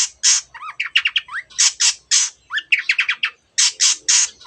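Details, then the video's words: Long-tailed shrike (Lanius schach) singing a fast mixed song packed with mimicry of canary and many other birds: harsh raspy bursts alternating with quick whistled trills and rising notes, almost no pause between phrases. "cendet gacor nembak nembak rapat isian kenari dan banyak jenis burung"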